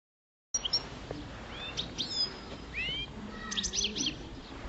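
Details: Five-year-old caged European goldfinch of the parva form singing in mating season: scattered twittering chirps and short sliding whistles over steady background hiss.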